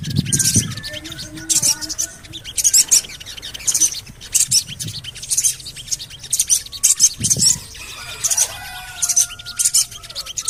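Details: Javan cochoa lure calls to make birds sing: loud, high, grating chirps in repeated bursts, with a low thump near the start and later, and sustained whistled tones from other birds.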